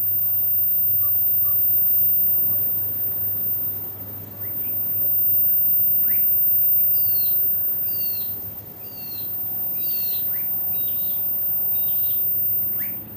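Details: Blue-faced honeyeater (Entomyzon cyanotis) on the Sunshine Coast, Queensland, in July 2022, giving a quick series of sharp, high, slurred notes in its second half, over a steady low rumble.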